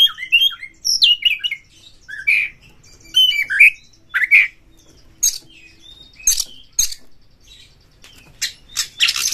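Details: Lure song of an Oriental magpie-robin, used to provoke others. Rich whistled phrases and squeaky slurs open it, then it gives way to harsh raspy bursts and scratchy notes spaced about a second apart.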